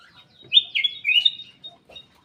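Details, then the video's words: Aviary black-capped bulbul singing vigorously: one loud, fluid whistled phrase lasting about a second, with slurred notes that rise and fall, followed by two short soft notes in a quiet setting. "KICAU KUTILANG EMAS \ CUCAK EMAS GACOR"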